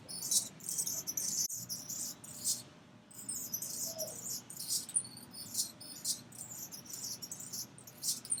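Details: Anna's hummingbird giving a busy run of shrill, dry, buzzy chirps and squeaky whistles, bursts repeated every half second or so with one short gap, a soft low rumble underneath.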